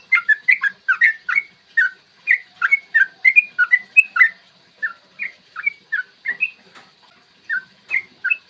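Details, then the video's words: Yellow-vented bulbul song meant to stir other birds into singing and fighting: quick bursts of chirpy whistled notes, dense at first, then spaced out and slower, with faint sharp high clicks early on. "trucukan gacor TARUNG ROPEL PANJANG pancingan trucukan agar BUNYI dan EMOSI"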